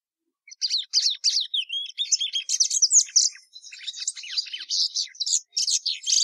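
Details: Plumbeous seedeater (patativa verdadeira) singing a fast, continuous warble of sharp chirps, trills and short buzzy notes, high-pitched and varied, running without pause for about six seconds in a quiet background.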